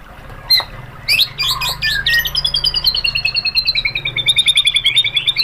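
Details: Song of a white-rumped shama, used as tutor and provoking material for other birds: a few sharp scattered notes, then a fast, steady, even chattering trill that descends slowly in pitch and runs for several seconds.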